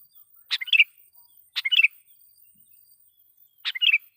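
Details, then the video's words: Sooty-headed bulbul singing steadily as a lure to call in and provoke wild bulbuls; three quick phrases of a sharp note followed by chattering, bubbly whistles, the last after a longer pause, over near silence. "suara pikat KUTILANG GACOR /kutilang suara keras,membuat kutilang liar EMOSI"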